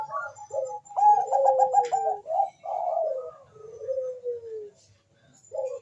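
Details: Bangkok zebra dove song: quick stammering notes rolling into long downward-gliding coos, phrases repeated with short gaps and a final brief stutter.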